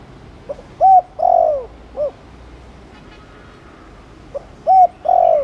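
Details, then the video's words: Spotted dove, Thổ Đồng type, using chiêu and gù coos to stir other doves to coo: a faint pickup note, an arched hoot, a long descending coo and a short one, then the phrase starts again. "Chim cu gáy Chiêu + Gù kích bổi ức chế mau gáy"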